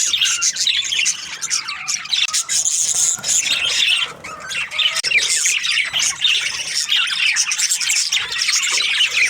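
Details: Breeding pairs of budgerigars: steady high chattering of many birds, scratchy chirps and warbled squawks overlapping throughout, briefly softer near four seconds.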